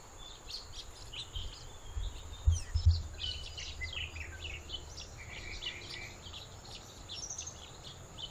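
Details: Black bulbul perched on branches of an invasive leucaena tree gives squeaky, chattering calls in quick uneven bursts over steady low wind or traffic rumble.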